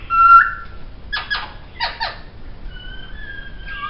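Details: Laughingthrush, a caged bird used for song training, gives a clear whistled note, then two quick buzzy descending bursts and two more buzzy notes, followed by long level whistles that end in a falling slur.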